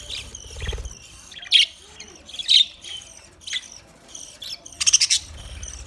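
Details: Budgerigar chirping: short bright chirps and warbling notes scattered through the clip, a few louder ones standing out, with soft low rumble beneath.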